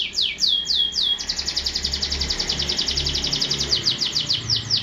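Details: Canary song opening with four slow descending sweeps, then a long rapid roll of short high notes, with low background hum.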